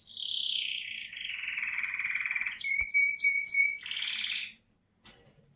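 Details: Caged American Singer canary, a male, singing: a long, fast, rolling high trill that slowly descends, then a pure steady whistled note with a few sharp chips over it, ending in another buzzy trill.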